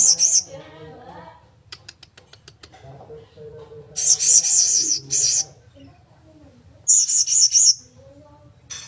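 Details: Blue-crowned hanging parrot uttering short, very high, thin, trilled squeaky bursts in three separate bouts, with a series of faint sharp clicks between the first two bouts.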